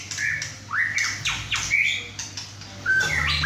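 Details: Male White-rumped shama aged six and a half months, just moulted, singing hard indoors with two other caged birds; loud squawky upslurs and a few clear whistled notes over a low hum.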